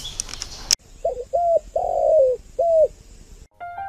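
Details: Spotted dove sings its six-note coo in the hậu 3 style: four clean, low hollow notes, the third long and sliding down. Brief high chirps come before the coos, and a tonal sound follows them.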